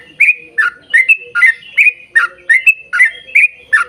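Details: Rapid bubbly song of a yellow-vented bulbul, meant to prompt birds of its kind to sing: short liquid rising-falling notes, about two or three per second, evenly spaced over a soft high ticking.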